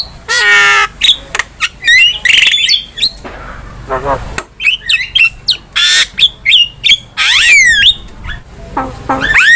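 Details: Gacor-style master song of a Javan myna kept for tutoring cage birds: loud grating squawks alternate with sharp upslurred whistles and buzzy rasps, delivered in rapid irregular phrases with brief pauses.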